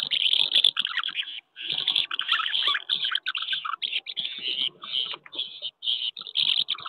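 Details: Common house martins at nests on a wooden house in May, pairs reclaiming last year's nests and fighting off strangers; sustained chirrupy twittering in rapid phrases with brief pauses.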